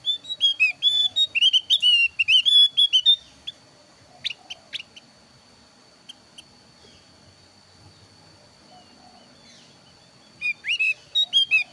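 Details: Javan grey-throated white-eye of the thin-browed form, recorded as a lure to draw other birds into singing. Bursts of high, bright, varied whistled phrases for about three seconds, a long gap with scattered sharp clicks, then song resumes near the end.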